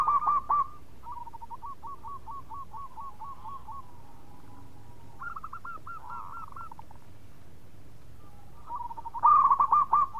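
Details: A local zebra dove (perkutut), used as a lure sound, sings a soft, staccato string of rapid, trilled cooing notes.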